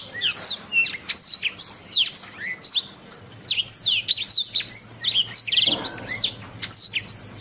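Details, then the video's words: Canary song recorded as a master for tutoring birds: a long varied stream of sharp upward and downward whistled slides in quick bursts, a short pause, then a rapid rattling trill among more chirps. "Masteran Suara Kenari"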